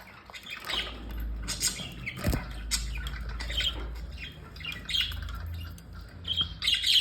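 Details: A flock of eleven pet budgerigars in a house chatters with overlapping high chirps and squawks.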